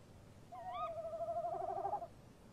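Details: At a nest box at night in March, a tawny owl pair exchanges calls. A short upswept call overlaps a steady tremulous hoot that wavers for about a second and a half before fading out.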